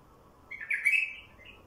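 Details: One brief, rich warbled phrase from a wild bulbul, sung to draw in wild bulbuls, rising then fading within about a second, against a faint steady hum.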